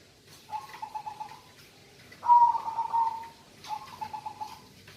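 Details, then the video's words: A local zebra dove in lively song gives three bubbling, rapidly pulsed coos, the middle phrase louder and slightly falling, over a quiet background. "perkutut lokal suara gacorr"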